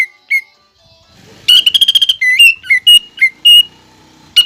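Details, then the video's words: Actively singing greater green leafbird with pelatuk bawang fill: a few sparse whistles, then a fast rattling burst followed by repeated bright, slurred whistled notes. "CUCAK IJO GACOR ISIAN PELATUK BAWANG PALING DI CARI JURI"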